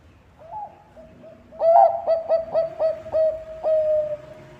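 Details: Zebra dove of the Bangkok type, a keen singer played as a lure to prompt other birds to sing; soft introductory coos, then a loud series of quick, bouncy repeated notes ending in a drawn-out steady coo.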